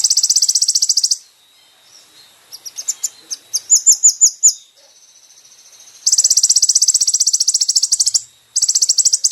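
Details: Brown-throated sunbird song from a recording for training caged birds: long, even, very high buzzy trills alternate with a run of sharp rising chips and a quieter thin trill, all crisp with no background.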